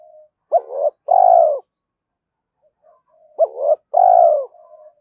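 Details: Spotted dove giving a calling coo meant to draw in rival doves. Twice, a short hoot runs into a long, trembling, slightly falling coo, with a quiet pause between. Soft low murmurs follow, with no other sounds.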